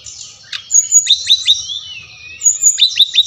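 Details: Bali Brown-chested jungle flycatcher song for getting captive birds to sing: long high whistles broken by repeated sharp downward chips, a slow descending slur, then more quick chips.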